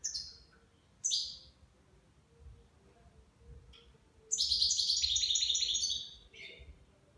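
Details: Goldfinch, nine months old, delivering Levantine (Shami) style song: short high chirps, then a dense two-second burst of rapid tinkling, buzzy twitters before a final down-slurred note.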